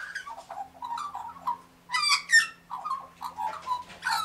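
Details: Australian magpie warbling beside pink galahs, with tumbling liquid whistled notes, a loud harsh rasping burst in the middle, then more fluting phrases and another harsh note at the close.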